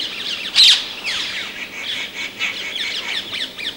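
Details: Several rose-ringed parakeets (Psittacula krameri) giving harsh, shrill screeches: one loud squawk early on, then a steady chatter of overlapping calls.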